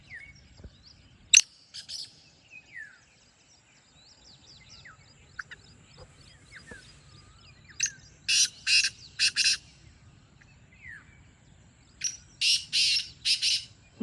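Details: Two separate harsh, grating black francolin phrases, each a burst of four or five rasping notes, several seconds apart. Many small birds chirp and whistle softly throughout.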